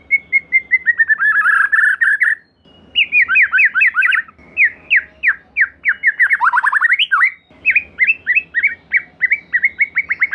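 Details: White-rumped shama song played as a lure for another shama: dense, fast series of sliding whistled notes and trills, briefly pausing, then resuming with rhythmic repeated notes.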